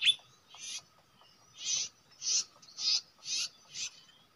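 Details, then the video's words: Common iora at a usual nesting site, used as a bird-trapping spot: a series of short buzzy chattering bursts repeated roughly every half second, high-pitched, with a faint steady tone underneath. "lokasi mikat cipoh emang ga diragukan. tempat biasa nyarang."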